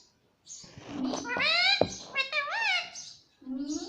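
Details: Indian ringneck parakeet, a pet talking parrot, imitating human speech indoors: a continuous run of voice-like syllables with rising and falling harmonic tones and high raspy bursts, seemingly the word "mummy", with a brief gap before a final upward-sliding syllable.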